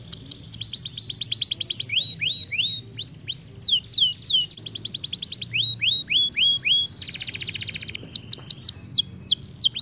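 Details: Isabel canary singing a fast, high rolling song used to tutor young canaries: repeated tours of bright slurred whistles and quick rolling trills, with a dense buzzy roll near the end.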